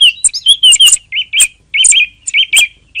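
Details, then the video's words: Song thrush singing short bright phrases: a few slurred whistles followed by a looping note repeated four or five times with sharp high ticks, faint low rumble underneath. "صوت السمنة المغردة"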